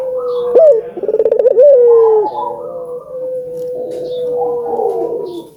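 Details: Albino ringneck dove, whose cooing is used to stimulate doves to call: one sharp rising note, a fast rolling pulsed trill and a falling coo, followed by long soft humming coos from other doves.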